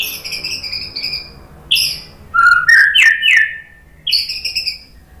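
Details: White-rumped shama (murai batu) masteran song meant to stir a caged bird into replying: high thin trills, a pause, a loud rich burst of slurred whistles, then another high trilled phrase fading out.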